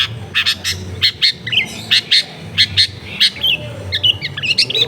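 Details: Cendet, the long-tailed shrike, singing busily as a lure to prompt lazy shrikes into song, recorded in a crowded residential area: rhythmic series of short buzzy high notes, several per second, ending in twittering whistles.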